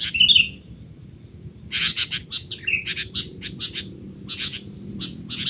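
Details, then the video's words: Sooty-headed bulbul in a noisy call recording for young bulbuls: a sharp twittering burst at the start, then a quiet gap followed by a string of evenly spaced short chirps over a steady high hum. "burung kutilang teler!! suara ribut paling cocok untuk kutilang bahan"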